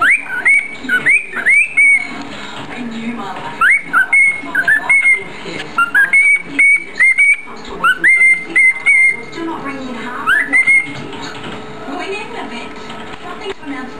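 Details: A pet cockatiel, filmed in the evening with a second cockatiel playing in the background, gives bursts of sharp, rising whistles, some in quick pairs, between softer chattering.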